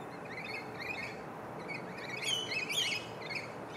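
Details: Two rainbow lorikeets, a pair being affectionate in a palm tree; short chirping notes repeated about twice a second, with a burst of shriller, higher squeaky calls midway, over steady background hiss.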